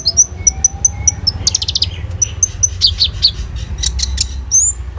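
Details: Phone recording of a common iora in 'roll tembak' song, used as a lure for kolibri ninja: a string of clear high whistled notes about every quarter second, then a buzzy burst, more whistles and a rising final note.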